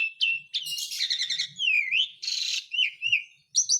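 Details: Asian pied starling singing to encourage a silent bird: rough chattering burst, wavering whistled glides, a harsh noisy block and short rising whistles ending in high notes.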